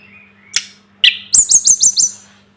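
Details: Short Sunda robin phrase from a songbird tutor recording: a faint whistle, a sharp click, a brief rising note, then five crisp high notes repeated rapidly.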